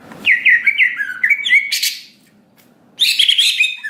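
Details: Greater green leafbird song played to provoke an emotional response: quick slurred whistles and chirps, a brief lull, then a harsh, dense burst of chattering notes.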